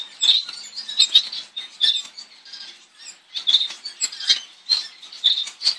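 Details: Double-barred finch (owl finch, Taeniopygia bichenovii), native to eastern and northern Australia, giving soft, high, nasal chirps and twitters in irregular bursts, with light rustling between calls.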